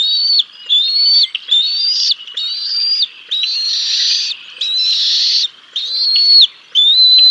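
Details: High, insistent whistled calls at a bald eagle nest during a fish feeding of the chicks, Decorah North, 6 May 2022; eight sharp notes, some harsher and noisier in the middle of the run.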